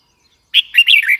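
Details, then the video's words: Red-whiskered bulbul giving a single quick chirpy phrase, a clear note followed by a rapid burst of bubbling, wavering whistles. "Red whiskered bulbul call 04"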